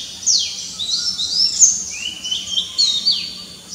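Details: Oriental magpie-robin (Copsychus saularis) morning song: a rich, unbroken run of high whistles with quick rising and falling slurs, mixed with a busy chorus of other small birds.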